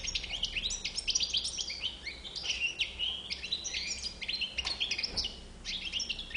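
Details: White-bibbed European goldfinch delivering a continuous, fast, liquid twitter of high chirps and short trills, varied and bubbling throughout, with faint low hum beneath.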